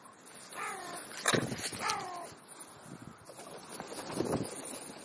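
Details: Crow calling while feeding: two nasal, slightly descending caws in quick succession early on, then feeding noises and soft background rumble.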